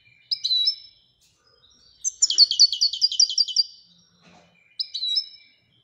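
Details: European goldfinch from Morocco in the Widania song style: a brief twittering phrase, a pause, a fast rattling trill of about a dozen liquid notes, then another short chirp.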